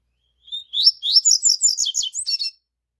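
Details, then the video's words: Double-collared seedeater singing at 5:30 in the morning: a faint thin whistle, then a rapid twittering phrase of high buzzy chirps and trills lasting about two seconds, no other sounds. "Coleiro Ford as 5:30 da manhã, meu despertador."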